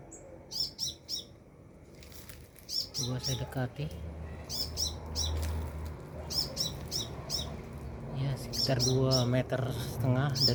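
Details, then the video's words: Sunbird nearby singing rapid high chirps in clusters throughout, while a man talks over the middle section and low background noise rises toward the end. "Burung Kolibri gacor"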